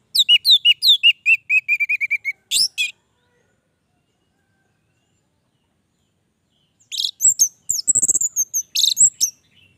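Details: Orange-headed thrush in lively, sustained song: a fast series of descending whistled notes and a sharp burst, then a few seconds of silence, then a jumble of very high thin notes and chatter.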